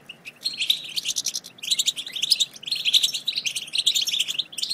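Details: European goldfinch chatter for stimulating a silent goldfinch to sing: quick, high, tinkling twitters and buzzy phrases in lively bursts with a short pause early on.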